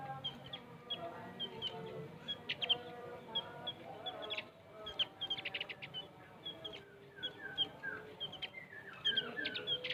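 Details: Javan grey-throated white-eye, known locally as opior jawa or cucak gentong, giving a long trill-type song used for training other songbirds: rapid high chirps and short clustered trills at irregular intervals over a steady low hum.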